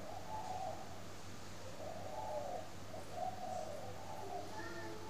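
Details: Captive spotted dove at a bird farm in Ba Vì, Hanoi, Vietnam, cooing in the morning: soft, low, slightly rough coo phrases repeated about every one and a half seconds over a steady electrical hum.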